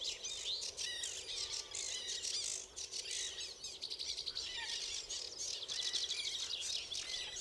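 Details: A male common linnet at the Zouweboezem in May, filmed from a footpath, gives quick twittering high chirps in rapid bursts amid other bird chatter and a steady insect-like hiss.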